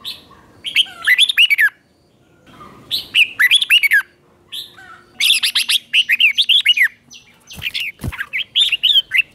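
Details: Red-whiskered bulbul singing in the morning to train and provoke other bulbuls: repeated phrases of bright, bouncing whistled notes in quick runs, pausing briefly between bursts, with a couple of sharp knocks late on.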